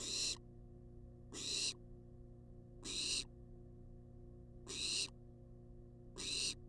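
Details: Persistent food begging by a wild barn owl in a research nest box: five harsh snoring screeches, roughly one every one and a half seconds, each slightly longer than usual, over faint hum.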